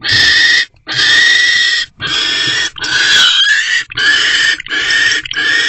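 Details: Barn owl pair in an owl box at 10:17 pm, 20 January 2024, mating after the male brings a small rodent. Long, harsh, continuous screeching in bursts of about one second, broken by brief pauses.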